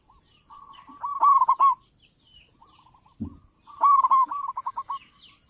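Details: Zebra dove, local bird with a big voice, used to attract doves for trapping: two loud phrases of rolling, bubbling coos ending in rapid trilled notes, with a brief low thump between.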